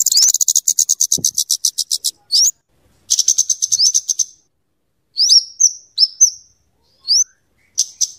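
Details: Energetic song of a scarlet-headed flowerpecker, known locally as kemade, for luring and tutoring birds. It opens with a quick high chattering trill, then a second rapid run, then spaced single upslurred piercing chips, with no other sounds.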